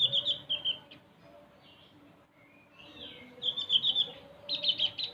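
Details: {'caption': 'Javan white-eye uttering high, fast twittering trills in brief bursts, with a quiet stretch between them and a soft low hum in the background.'}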